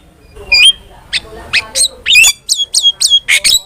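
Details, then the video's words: Starling song for luring and tutoring other birds: scattered short sharp notes becoming a quick run of bright whistled downslurs repeated several times. "PANCINGAN DAN MASTERAN BURUNG JALAK"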